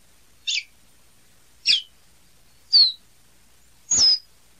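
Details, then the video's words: Caboclinho seedeater giving four separate short high notes about a second apart, some sharp and chipped, the last a brief downslurred whistle, against a quiet background. "Canto do Caboclinho"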